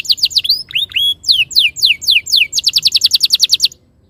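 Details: Canary masteran song meant to coax caged canaries into singing: varied sliding whistles and rising notes give way to a fast, tightly repeated roll of short high notes, then stop before the end.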